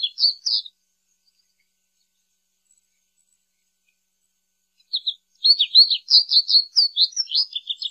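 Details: A brief chirped phrase of American goldfinch song, a long silence, then a fuller run of quick, high twitters and warbled notes for the last three seconds.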